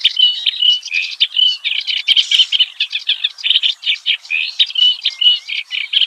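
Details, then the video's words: Wild clamorous reed warbler (kerak basi) singing a varied song: a dense, continuous run of harsh chattering notes mixed with short whistled phrases, without pause for six seconds. "Varian Ocehan KERAK BASI di ALAM LIAR"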